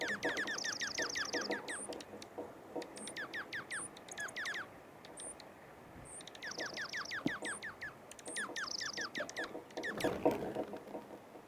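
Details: Dark-eyed junco in a Wisconsin backyard giving quick, high chipping and twittering notes with short buzzy trills, in bursts over a background hum of yard noise.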